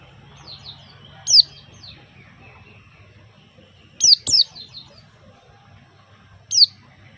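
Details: White-eye giving sharp, high downslurred chirps, some doubled, in three short bursts spaced a few seconds apart, over a quiet background with a low hum.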